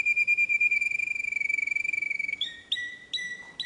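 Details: Canary song opening with a rapid, buzzing roll on one steady pitch, followed by a few separate upward-flicking whistled notes.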